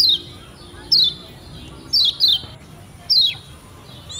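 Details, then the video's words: Lombok white-eye from Lombok used to prompt beginner birds to sing, giving a handful of clear, high, steeply falling whistled notes, one pair close together, over faint background hiss. "PANCINGAN Kecial Kuning PEMULA‼️Biar CEPAT GACOR‼️"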